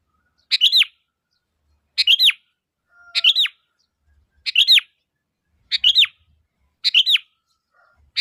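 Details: Calls of a sooty-headed bulbul (kutilang) meant to provoke replies from other bulbuls: seven crisp chirp-and-slur phrases, evenly repeated about every 1.3 seconds, clean background.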